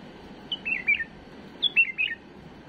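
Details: A tame bulbul gives a flawless song used to teach young birds. Two short, bright, warbling phrases of four or five fluty notes each come about a second apart, each descending with a final lift, in a quiet room.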